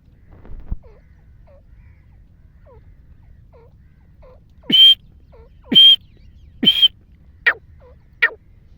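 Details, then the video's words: Wild black francolin calling: five loud, harsh, clipped notes about one second apart, each with a bright ringing tone, after a quiet start with faint soft hooked whistles in the background. "کالے تیتر کی آواز"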